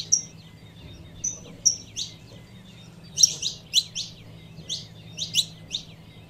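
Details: A female saffron finch calls to warm up the male: a few short flat whistles at the start, then denser clusters of sharp high chirps, about forty per minute and irregularly spaced, over a low hum.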